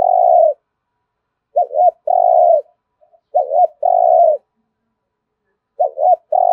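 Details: Spotted dove, thúc gù cooing: a sustained coo, then repeated phrases of a rapid two-note hoot and a drawn-out coo, evenly spaced by silence.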